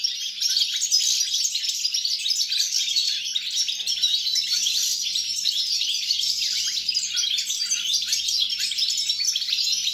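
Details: Goldfinch song from 29 December 2022: a rapid, jangling twitter of high chirps and trills running without pause, loud and steady, with a soft background hum.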